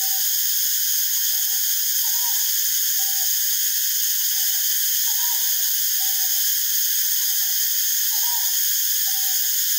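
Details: A Northern boobook (Ninox japonica totogo), seen foraging and preening, gives soft, low, paired hoo-hoo notes about every second, half-buried under a steady high insect drone.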